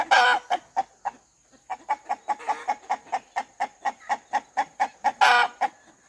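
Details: A farmyard rooster gives a long run of short rhythmic clucks, roughly twenty in six seconds. The run is framed by louder, harsher squawking bursts at the start and near the end.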